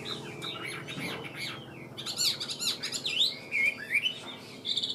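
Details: Energetic song of a caged-hobby Chinese hwamei: dense bursts of sharp whistled notes and rapid trills, loudest in the second half, with a low hum underneath.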